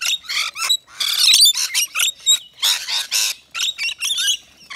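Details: Native Australian rainbow lorikeets visiting a nectar feeder on a balcony; noisy chatter of harsh squawks mixed with short shrill whistled notes, bursts repeating roughly every half second with short quiet gaps between.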